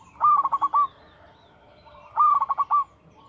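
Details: A local zebra dove (perkutut) singing in regular rhythm as a lure: two phrases, each a sharp opening note and a quick run of four or five short rolling coos, separated by a soft low coo.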